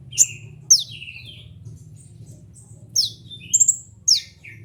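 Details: Kolibri ninja sunbird, used as masteran material for training birds. A few sharp high downslurred notes with buzzy tails, a pause of about two seconds, then a quick triple chip, over a steady low hum.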